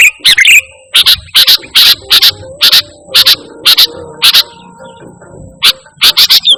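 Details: Sooty-headed bulbul in pure lively song used to call and train kept birds: a brief warble, then crisp chips in pairs about twice a second, a pause, and another short burst.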